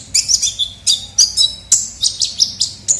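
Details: Kolibri ninja (ninja sunbird) lure call: short bursts of high twittering chirps repeated roughly every quarter second, each note bright and slightly descending.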